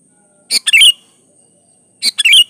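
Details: A lively Sooty-headed bulbul song for luring others to sing: two similar brisk phrases, each a sharp chip followed by a bubbling, downslurred whistled flourish, about a second and a half apart, in quiet surroundings.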